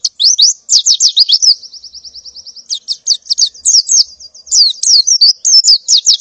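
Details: Calling to attract males, a female white-eye in breeding condition gives quick high chirps in the morning, then a steady buzzy run of even notes, then more sharp twittering.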